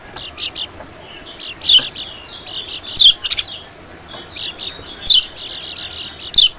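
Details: White-eye lure sound used to attract small birds, especially white-eyes: thin, high, sharply down-slurred chirps scattered irregularly, mixed with short buzzy high pulses in quick bursts.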